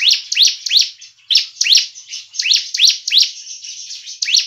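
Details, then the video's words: Bar-winged prinia lure call, used to trap prinias and to spur kept birds into singing: sharp, high, upslurred chirps, about three per second in an uneven, excited run. "PANCINGAN CIBLEK dan suara pikat ciblek"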